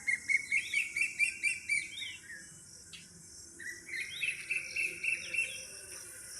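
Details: On a village morning, sparrows in the trees chirp in quick runs of short, bright notes, about four a second, then pause before a second burst, over a faint background hum.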